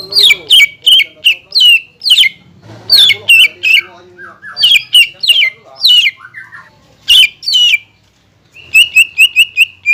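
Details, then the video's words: Loud green leafbird song aimed at raising rival birds' excitement, reportedly mixing kingfisher, magpie robin and shama sounds; harsh, sweeping squawky notes in quick clusters, ending in a fast series of short, even chips. "PANCINGAN CUCAK IJO GACOR PALING AMPUH MENAIKAN EMOSI LAWAN AGAR BUNYI DAN GACOR"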